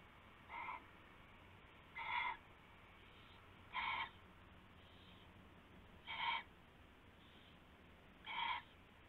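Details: Owl at night around 4 AM in February, during a rabbit prey handover: short rough screechy calls repeated roughly every two seconds, five bursts over a steady background hiss.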